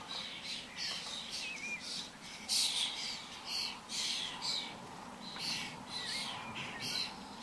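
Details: Common starlings in a flock wandering about: harsh broadband squawks and chatter in quick bursts, with thin whistled slurs mixed in, over a steady low background rumble.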